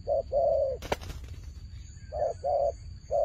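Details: Fighting turtle dove purring in paired coos, one short and one long. A sharp flapping burst comes between the pairs.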